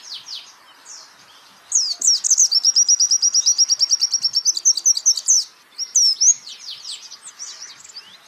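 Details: Training recording of a champion white-eye: soft scattered notes, then a loud, very fast trill running about three seconds, followed by high slurred chirps that fade out.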